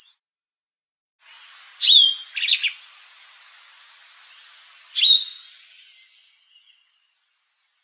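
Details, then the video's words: Sombre greenbul calling from within a tree in forest at Kirstenbosch Botanical Gardens, Cape Town, South Africa: loud, sharp whistled notes a few seconds apart with a brief rising slur; southern double-collared sunbird and Cape white-eye faintly in background. "Sombre greenbul calling"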